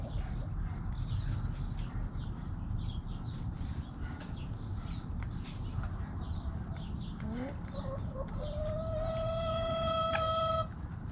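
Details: Backyard hens and roosters: about eight seconds of rhythmic high chirping from small birds, then a short rising chicken call leading into a long, even, ringing note of about two seconds, with faint clucks and background rumble.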